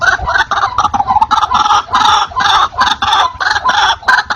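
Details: White-breasted waterhen, loud and clear, used to call wild birds in: grating, repeated notes clustered in bursts, with short gaps between groups.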